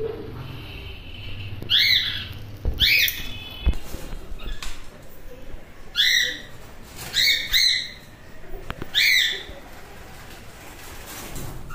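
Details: Cockatiels in an aviary colony: loud, harsh, rising screech calls given singly and in quick pairs every one to two seconds, over a steady background hiss and rumble.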